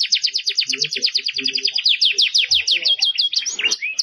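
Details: Belgian canary song for tutoring young birds: fast rolling trill of repeated high sweeping notes that quickens and sharpens, ending in a whistled slur; soft low sounds faintly in the background.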